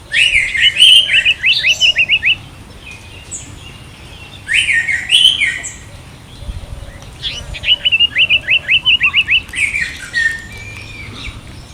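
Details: Orange-headed thrush in India, giving loud, clear phrases of rapid repeated whistled notes, fast trills of about eight notes, interspersed with sweeter slurred whistles and pauses; soft low cooing repeats in the background.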